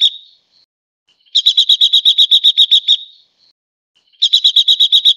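A Silver-eared mesia gives bright, high phrases of about a dozen quick, evenly repeated notes. Each phrase lasts under two seconds and opens with a soft thin lead-in note.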